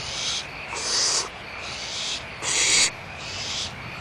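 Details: Barn owls at Audubon Starr Ranch Sanctuary, 1 April 2011: a run of about four harsh, breathy hisses, the third loudest, alternating with quieter hissing and a constant low background noise.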